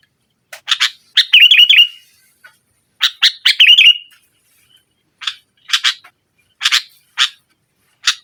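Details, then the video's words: Sooty-headed bulbul singing energetically in nggaruda style, meant to press rivals and coax a reluctant bulbul to sing: two phrases of harsh clipped notes, each rolling into a bubbly warble, then spaced single sharp calls. "Suara Burung Kutilang Gacor Menekan Lawan NGGARUDA, Pancingan Kutilang Mogok"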